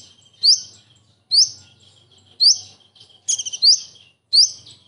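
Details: Common iora mimicking a kingfisher's shot-like bursts: single piercing rising whistles come about once a second, one preceded by a rapid stutter. A faint low hum sits underneath.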